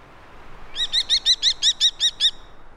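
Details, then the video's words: Common kestrel, a small falcon: a quick, evenly spaced run of about nine high, sharp chirping notes over roughly one and a half seconds, against a faint steady hiss. "The Kestrel - Bird Song"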